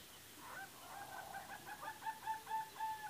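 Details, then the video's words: Lady Amherst's pheasant calling: a drawn-out series of tonal, slightly rough notes with clear harmonics, stepping in pitch and repeated in short pulses over about two seconds, against a quiet background. "Lady Amhersst Pheasant"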